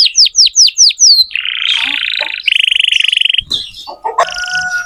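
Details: Song of a lively canary played as a lure for tutoring young canaries: five quick falling whistles, then a long buzzy rolling tour, a fast rattling trill, and mixed bright whistled notes.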